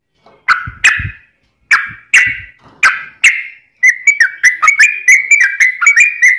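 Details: Sooty-headed bulbul song, a fast, dense recording meant to tutor birds and lure wild ones, mixed with straw-headed bulbul phrases. Separate sharp notes around two seconds each, then a quick run of bubbly whistled notes.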